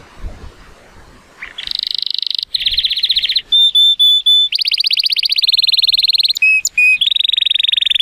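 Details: Male Timbrado Español canary rated 83 points, born 2018, singing on a sunny day: fast metallic rattling trills broken by several long pure whistled notes, then more rapid pulsed rolls, loud and unbroken.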